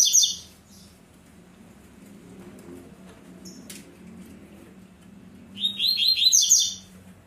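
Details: Captive Double-collared seedeater singing tui-tui: a brief high phrase at the start, a click, then after a quiet stretch a rapid, bright rolling phrase of repeated notes lasting about a second, over low room noise.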